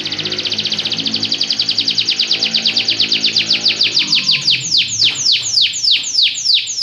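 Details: A Belgian canary delivers a rapid, even rolling trill that gradually slows into broader, louder downward-sweeping notes; a faint low hum runs underneath.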